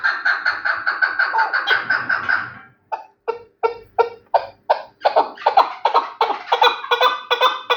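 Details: Chukar partridge of the Terali kind, praised as the best partridge, gives a fast run of rapid chuk notes that slows into spaced, separate clucking pulses, each note broad and harsh.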